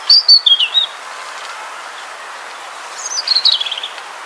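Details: In Poland, a European robin sings an evening song: two short, high, silvery phrases of thin warbling notes, each under a second, separated by a pause, over a faint background hiss.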